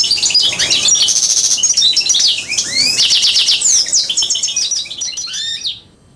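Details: Song of an Algerian goldfinch mule hybrid, recorded in 2009: fast high twitters, rolling trills and sweeping upslurred whistles run together in a continuous stream, fading out at the end.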